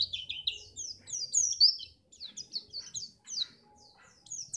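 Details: White-eye in Pacitan singing to prompt other birds for contests: rapid high, chattering notes in quick bursts, about four per second, fading slightly toward the end, with faint low noise.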